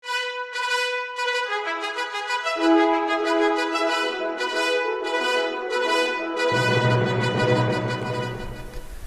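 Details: Only music is heard: brass instruments play sustained, stepping notes with rich overtones and no animal voice.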